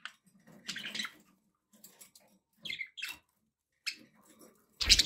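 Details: Several pet budgies chatter: scratchy warbling mixed with clear rising chirps, gaps of quiet, and a loud harsh burst at the close.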